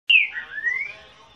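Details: Male ultramarine grosbeak, said to be a genuine one, sings up close: a brief clear whistled phrase that drops, then slides smoothly upward.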